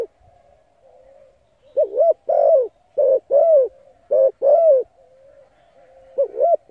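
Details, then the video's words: Spotted dove cooing to lure and stimulate decoy birds: three loud phrases, each a quick wavering double note then a longer sliding coo, separated by quiet stretches with a faint steady hum. "Tiếng cu gáy hấp dẫn đủ bài thúc gù gáy gọi kích mồi tập bổi nhanh nổi hiệu quả"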